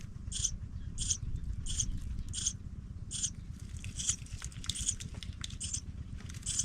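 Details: Baby pipits give thin, high, squeaky calls in short bursts about every second, over a steady low rumble, as a nestling sibling leaves the nest.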